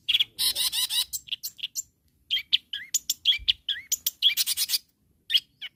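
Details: Long-tailed shrike calling rivals: an opening burst of scratchy chatter, then a busy run of high squeaks, rising chirps and harsh chips, ending in a few sparse notes.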